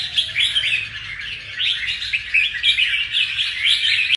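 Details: Freshly molted red-whiskered bulbul kept in a cage, in good form: rapid, overlapping chattering and twittering notes packed tightly together, with short sweeping whistles repeated every half second or so, steady throughout.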